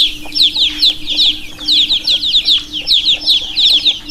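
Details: Chorus of baby chickens peeping, many shrill, falling chirps tumbling over each other without pause, with a constant faint mechanical drone underneath.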